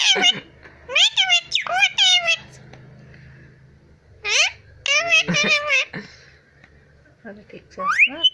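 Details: Pet Indian ringneck (Rose-ringed parakeet) mimicking speech and laughing: high, squeaky, speech-like chattering bursts and laughing phrases in three clusters separated by short quiet pauses.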